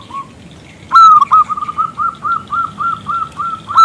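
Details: A local zebra dove with a big, crystal-clear voice calling a male to reply. A soft coo, then a loud rising opening note, followed by about ten evenly spaced, bright, clipped coos, ending on another loud rising note.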